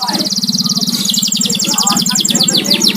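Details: Pet canary kept at home sings fast repeated high trills and sweeping notes over a constant low droning hum.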